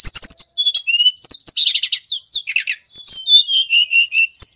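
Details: Male brown-chested jungle flycatcher from Bali, used as a trapping lure and a master song for training birds, delivering a fast varied song of high whistles, sliding notes and buzzy trills, ending on steady level whistles.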